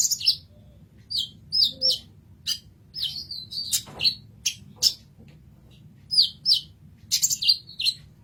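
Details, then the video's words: Kolibri ninja sunbird singing for a masteran: bright high chirps and slurred squeaky notes in short phrases with small gaps between them, over a soft low hum. "Kolibri Ninja Masteran"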